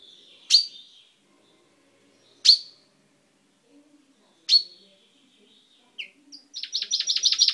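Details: Pet chaffinch recorded 10/05/12, beak recently turned purple: three sharp, loud chirps spaced about two seconds apart, then the opening of a fast trilled song.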